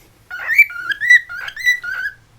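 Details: Caged pet cockatiel kept indoors in West Newton, Pennsylvania, whistling among other cockatiels; a series of clear whistled notes stepping from lower to higher pitch, about four paired phrases in two seconds, in a quiet room.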